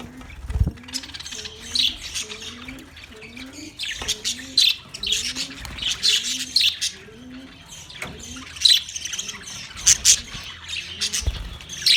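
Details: Budgies on 9 March 2024 giving bursts of bright, scratchy chirps and squawks, with a soft low rising note repeated steadily underneath and a few dull thumps.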